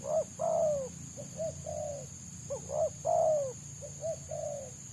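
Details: Wild spotted dove whose fast, packed selang nguku song draws trappers, not coming down to a decoy: two phrases of quick hollow coos, each with a drawn-out descending coo, plus softer trailing notes, over a thin steady whine.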